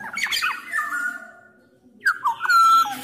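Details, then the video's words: Sumbawa black-naped oriole with Javan oriole males and females, singing loudly to prompt other orioles; a rough, harsh note slides into a level whistle, a pause follows, then a clear, sustained fluty whistle. "KICAUAN KEPODANG EMAS GACOR SUARA KERAS"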